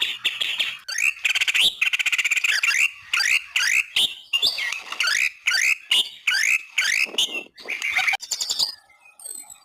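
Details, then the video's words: White-rumped shama song used as a master recording for training other songbirds: a fast, loud run of varied whistled and chattering phrases, sliding notes repeated in bursts with short gaps, ending in a few softer thin notes. "masterin murai, biar gacor boss"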